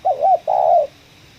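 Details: Spotted dove with a prized 'ngeruk', 'kuk 1' voice, lured while trapping in a coffee plantation, gives two low mellow coos: a wavering first note, then a longer steady one that fades downward.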